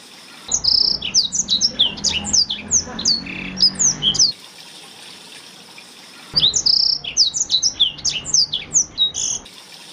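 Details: Two bursts of Blackthroat song, a master song for teaching canaries: dense, rapid high whistles and chirps for about four seconds, a two-second silent pause, then another quick twittering phrase.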